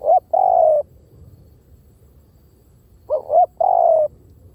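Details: Spotted dove decoy call: two clear phrases about three seconds apart. Each is a brief wavering two-part note, then a sustained coo sliding slightly downward, against faint background noise.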